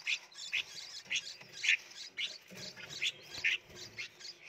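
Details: Young red-whiskered bulbuls, hand-reared in a nursery box in Phetchaburi, Thailand, beg for food with loud, piercing chirps spaced roughly half a second apart, one bird clearly louder, over faint shuffling.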